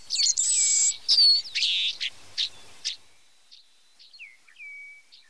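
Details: White-browed meadowlark singing loud, harsh buzzy bursts in quick succession, followed by softer, thin whistled notes that slide down and level off, with quiet pauses between them.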